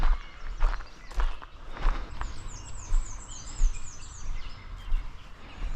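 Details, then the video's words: On a May 19 morning during spring migration at Stronach Park, Kingston, Nova Scotia, a Black-and-white Warbler sings a thin, very high series of repeated two-note phrases, like a squeaky wheel, in forest near a stream and bog; footsteps and rustling close by. "I hear a black and white warbler up here"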